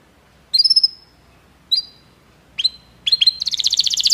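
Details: Belgian canary singing to stimulate other canaries: scattered high chirps and short whistled notes separated by pauses, ending in a fast rattling trill.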